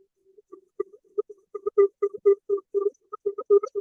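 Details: Pectoral Sandpiper display call from the arctic breeding grounds, given while the bird inflates its chest: deep, hollow, hooting pulses, about two a second and somewhat uneven, played back indoors through a speaker.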